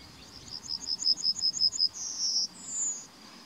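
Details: Yellowhammer singing in May 2020: a quick run of about ten short, high, evenly repeated notes, then a longer drawn-out note and a final higher sustained note, with no other sounds nearby.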